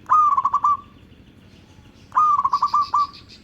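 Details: A local zebra dove, used as a lure for other zebra doves, gives two soft trilled coos two seconds apart. Each is a rising note and then a string of rapid pulses trailing off. A high twittering bird sounds over the second phrase.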